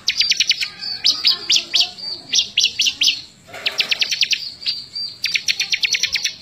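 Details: Bar-winged prinia singing actively, recorded May 2017 as tutoring material for other birds: fast bursts of high, evenly repeated clipped notes, about eight per second, broken by one short pause before resuming.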